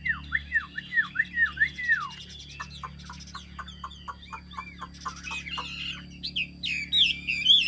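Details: Caged Chinese hwamei from Vietnam with a good, well-structured song: a rapid sequence of downward-sliding whistles, then clipped tapping notes, closing with louder buzzy, warbled phrases.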